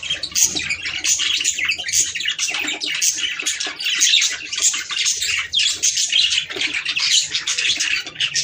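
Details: Lively budgerigar warbling meant to bring the birds into breeding condition: dense overlapping chirps and harsh squawks, rising and falling in loudness in short waves.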